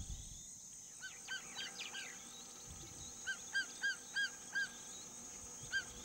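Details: In the scorching Kalahari during the mating season, a female Martial Eagle calls as a prelude to mating: a series of short, ringing whistled notes, about four per second, over a steady high insect-like hiss.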